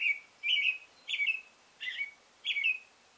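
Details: American robin, a male, caroling: five rich whistled phrases, each sliding downward with a slight warble, repeated about every half second; little else audible.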